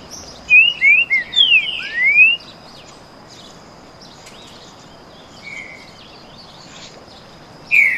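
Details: Dueling pair of Green-winged Saltators with canto boi song: a rapid phrase of five or six sharp, sweeping whistles at the start, long quiet gap with a faint note, then another loud whistle at the end.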